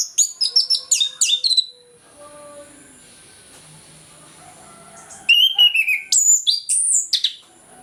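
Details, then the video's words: Morning ngeplong song from an orange-headed thrush, used to prompt non-singing birds: two energetic bursts of fast, varied whistled phrases and high chirps, separated by a quiet pause with faint low tones. "ANIS KEMBANG NGEPLONG PAGI, PANCINGAN AK MALAS BUNYI AGAR GACOR"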